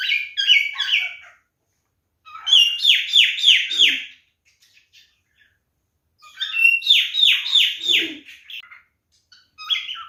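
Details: Whistled mating song of a male cockatiel: bouts of loud, repeated downslurred whistles, about five per second, delivered in two-second runs separated by silent gaps, with a short chirp at the end.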